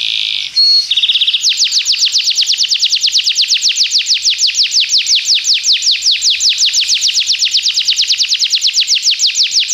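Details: Belgian canary singing as a training model for other canaries: brief buzzy nasal notes, then a long, steady trill of sharply descending sweeps, about five per second, clear and loud throughout.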